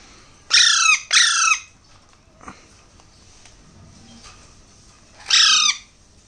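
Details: Hand-reared Alexandrine parakeet chicks: two rapid hoarse squawks in quick succession, a long quiet gap with faint clicks, then a final harsh rasping call near the end.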